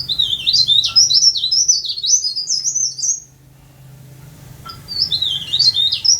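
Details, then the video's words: Tame cage leaf warbler singing a long, high, fast chattering warble of zigzagging notes for about three seconds, then a brief silence before the phrase resumes; faint low room hum beneath. "Burung Blereng/Tralis/Cikrak Daun/Pare-Pare/Sirlis"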